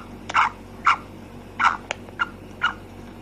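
A female black francolin gives short, harsh, mid-pitched notes, about five in three seconds at an uneven pace, over a faint steady background hum.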